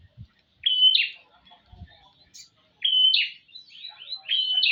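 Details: Prinia female calling for a male: bright, sharp chirping notes in short emphatic bursts, separated by pauses of about two seconds. A few faint low knocks sound in the background.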